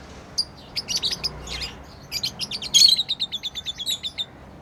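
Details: Pet lovebirds chirping as they play, a fast string of clipped, high tweets that quickens into an even, rapid rattle of about five notes per second in the second half.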